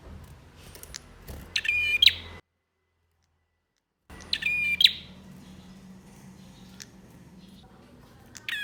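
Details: A male bar-winged prinia, singing eagerly to provoke silent birds, gives two rasping, trilled phrases broken by an abrupt dead silence, with a murmur of background noise and a faint note at the end.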